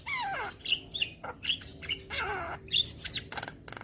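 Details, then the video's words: Javan myna song played every morning to train young birds: a descending whistle, chattering squeaks, harsh slurred notes and a closing burst of fast clicking. "Masteran Burung JAlak Kebo Muda Agar Cepat GAcor Manggut Manggut Rutin Putarkan Tiap Pagi"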